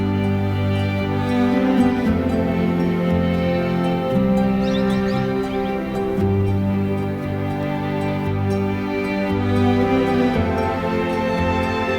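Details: Soft, sustained new-age music with layered tones and no animal sounds.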